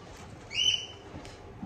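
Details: Caged cockatiel kept by a breeder in Tokachi, Hokkaido, heard while its cage is being cleaned; one short, clear whistled call, level in pitch, over low room noise.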